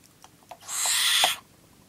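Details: A 9-week-old captive barn owl during feeding gives one harsh, breathy hissing screech lasting under a second, after a few soft clicks and taps.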